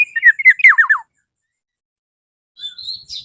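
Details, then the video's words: Black-naped oriole in full voice calling a rival: a rapid burst of slurred notes, the last three sweeping steeply downward, then a pause and a thin, higher whistled phrase. "KEPODANG EMAS GACOR MEMANGGIL LAWAN"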